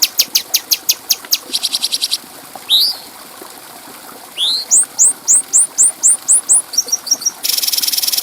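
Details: Bulbul song used as a clear training recording for other birds. Rapid high ticking opens the clip, then a run of about eight rising whistled notes and, at the end, a dense buzzy trill.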